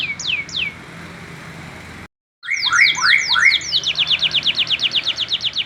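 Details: Young male canary still learning to sing. Three downslurred whistles, a brief silent break, then layered slurred notes leading into a long, rhythmic series of rapid downslurred chirps.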